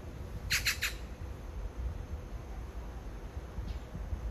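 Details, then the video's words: Magpie calling to a mate a few metres away in courtship: a short burst of three hoarse, grating notes in quick succession, then near quiet with one faint distant note, over low rumbling noise. "까치의 사랑(몇 미터 옆에다 두고)"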